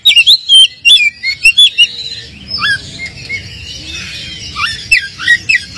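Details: Oriental magpie-robin (kacer) lure song for rousing a less emotional bird: fast loud high whistled notes in the first two seconds, then sparse rising chirps over quiet background.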